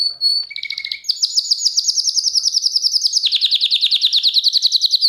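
A canary sings a high whistled note and a lower brief trill, then runs into long, rapid rolling trills of repeated notes that shift pitch midway.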